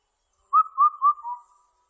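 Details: Indian cuckoo, recorded in 2020, gives its four-note whistled song, three even, mellow notes and a lower fourth, all within about a second, against a quiet background.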